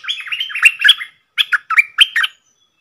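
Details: Red-whiskered bulbul, a wild bird answering a caged decoy, sings a rapid, warbling phrase of slurred whistles, then several clipped, bright chirps in quick succession.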